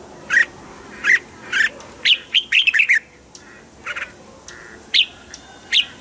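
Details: Red-whiskered bulbul, sung to excite caged birds: several spaced single notes, then a rapid chattering run of bright warbled syllables, with softer notes and further sharp whistles after it.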